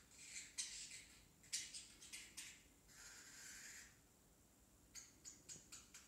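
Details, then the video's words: Indoors a very young parrotlet babbles: scratchy squawked syllables, a drawn-out hissy note, then a string of short sharp clicks and chirps. "Parrotlet talking"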